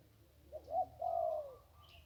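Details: Along the Ping River a zebra dove sings a single one-kuk phrase, a brief stutter followed by a sustained trilling coo that tails off, over low background hum.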